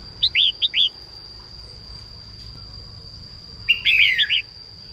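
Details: Morning song of a female red-whiskered bulbul, played to get newly caught birds singing quickly: four quick liquid chirps, a pause, then a busy, buzzy descending warble, over a faint constant whine.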